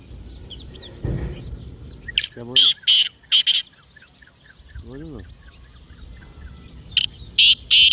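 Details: Partridge call, played to make a captive partridge call, with harsh, buzzy bursts in a rapid series of four, then another pair near the end, over a low background with faint chirps.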